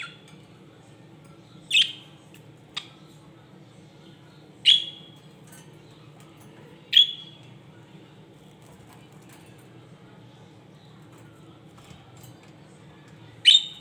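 A budgerigar gives a few sharp, bright chirps spaced several seconds apart.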